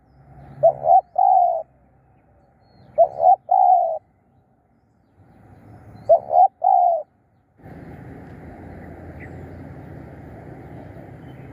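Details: Spotted dove decoy luring wild birds, three evenly spaced coo phrases about every two and a half seconds, each two short notes and a longer coo, then steady hissing noise.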